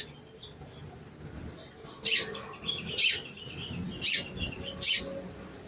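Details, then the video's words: Sooty-headed bulbul giving cuit cuit calls used as a lure to rouse a bird that has stopped singing: four sharp, high chips about a second apart over soft, faint twittering. "CUIT CUIT PANCINGAN EMOSI SOGON MACET BUNYI DAN KURANG GACOR"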